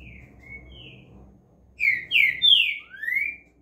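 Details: Soft opening whistles give way to three loud slurred notes and a rising final whistle from a green-winged saltator (trinca-ferro), with a low hum behind.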